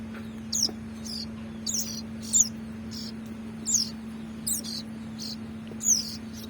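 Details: Hand-fed ciblek nestling begging with sharp, high-pitched downward-sliding squeaks in irregular bursts about once a second over a constant low hum.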